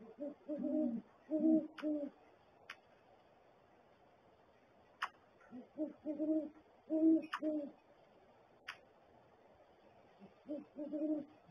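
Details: Great horned owl pair inside a nest barrel, 7:19 AM, January 13, 2022; the male makes gular-like sounds along with hooting. Three bursts of deep paired hoots separated by quiet pauses, with occasional sharp knocks.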